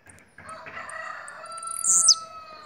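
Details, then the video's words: Bahian blue-black grassquit giving one high, buzzy burst near the end over a louder steady tonal call and background noise. "TIZIU BAIANO"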